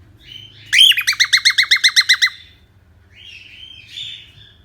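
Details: Indoor pet cockatiel, urged by its keeper to sing, gives a quick run of about eleven loud, clipped chirps, then drifts into a soft, scratchy warble over a low background hum.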